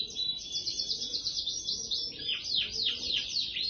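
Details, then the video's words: Ringed canary, ring 25, delivering long-duration 'kereta' rasmi song: fast high chirping trills that shift midway into a run of downward-sweeping whistled notes, continuous throughout, against light background hiss. "rasmi ring 25 durasi kereta"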